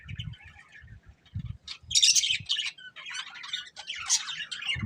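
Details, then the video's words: Budgerigar breeding pair: soft low thumps and quiet twitters at first, then louder bursts of scratchy chirps and squeaky warbling notes. "Beautiful Budgies Chirping Sounds | Love Birds Breeding Pair"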